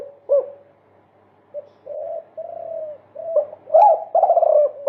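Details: Spotted dove multi-coo song used as a training lure for caged doves. Soft, low cooing notes come in uneven runs, some drawn out, building to louder overlapping coos near the end.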